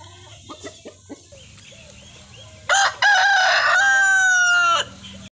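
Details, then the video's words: Rooster crow: a few short clucks, then a loud, raucous crow with a stuttering start and a long, sustained, gently falling final note lasting about two seconds. "Rooster Crowing Compilation"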